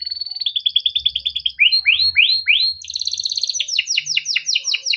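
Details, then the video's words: Yellow Timbrado canary in melodic song: a rapid rolling trill, then repeated swooping downslurs about two per second, moving into a higher bright trill and further falling notes, with faint low thumps. "Timbrado canary singing beautiful melodic songs"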